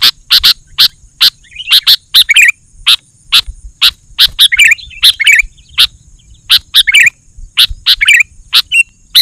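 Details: Sooty-headed bulbul song played to provoke other bulbuls and call wild birds from the forest: loud, sharp chirps in quick clusters with bubbly warbled notes between them, continuing throughout, over a faint steady high whine.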